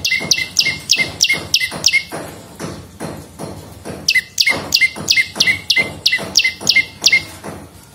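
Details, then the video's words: Bar-winged prinia (prenjak lumut) in a lure and tutor recording: two bursts of loud, quick, ringing two-tone chips, roughly three per second, separated by a short quiet gap. "SUARA BURUNG PRENJAK LUMUT GACOR !! PANCINGAN BUNYI / MASTERAN DAN SUARA PIKAT PRENJAK CENG VOLUME +"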